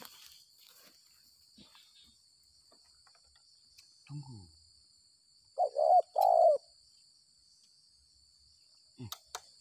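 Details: Spotted dove, a wild bird lured by a decoy after rain, with the call style known as gagap 6 mata. It gives a short run of mellow, husky coos in the middle, with men's low voices speaking before and after.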